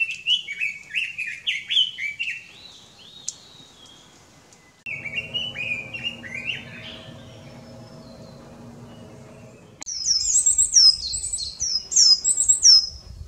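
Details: Red-billed Leiothrix in Japanese mountains while birdwatching, giving quick, rich warbled phrases in bursts, turning higher and sharper in the last few seconds, with a faint low hum underneath.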